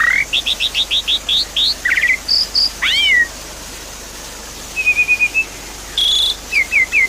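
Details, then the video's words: Song of a Javan pied starling, meant to stimulate a bird that stopped singing: a fast string of rising whistled notes and upward sweeps, a pause, then a trilled phrase, a buzzy note, and brief chirps. "Therapy Pancingan Jalak Suren Macet Bunyi"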